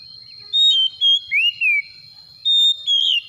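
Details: Kacer (Oriental magpie-robin) lure song for stirring a quiet bird: short bright whistles, a rising then falling slur, and a final high warbled note over a steady faint hum.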